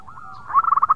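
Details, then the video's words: Local Indonesian zebra dove: a soft drawn-out coo flowing into a fast burst of about seven rhythmic bubbling notes. "Suara Perkutut Lokal Gacor Asli Alam Nusantara Punya"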